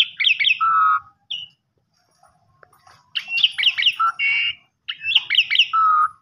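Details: Asian pied starling, kopi-kopiko style lure: phrases of three or four quick rising chirps each ending in a held whistle, given three times with pauses between.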